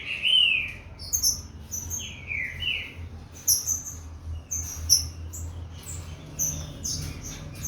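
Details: Captive Green-winged saltator from a breeding facility, a Corvo x Fogueira cross, warming up: a few short, slurred whistles dropping in pitch near the start and around two seconds, amid many thin, sharp high chirps over a steady low hum.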